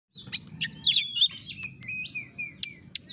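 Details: Oriental magpie-robin singing as a lure to rouse a lazy bird into full song: rapid varied chirps, sharp high notes and short whistled slurs, busy and irregular, over a low steady hum.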